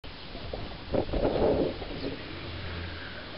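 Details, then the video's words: A male turkey trying to call his hen gives one rough, rattling burst lasting under a second, low and throaty, over steady wind and outdoor rustle. "Peru a chamar - Turkey bird calling"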